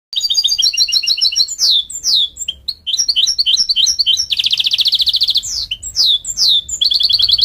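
A mule goldfinch sings a lively, high-pitched medley of fast trills, twittering notes and downward-slurred whistles.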